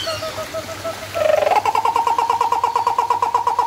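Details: Turaco calling at San Diego Zoo Safari Park, recorded 11/10/2020: a few soft low notes, then a loud rapid series of hoarse, evenly repeated barking notes, about three per second, with faint background hum.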